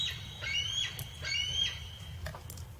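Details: A bald eagle gives its real call, far less majestic than the red-tailed hawk scream often credited to it: thin, high, squeaky whistles in two quick chittering bursts about a second apart, over a low hum.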